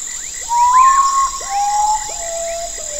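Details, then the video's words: Common potoo, a camouflaged bird of forest nights, giving its mournful song: a loud, clear whistle that swells then drops in four descending steps, backed by a steady high insect whine and sweeping frog calls. "O canto misterioso do Urutau"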